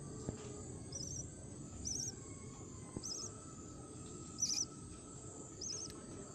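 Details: In Kerala, a lovebird feeds her chicks while soft, high, trilled chirps repeat roughly every second, over a heavy constant low rumble with a faint steady tone and a few knocks.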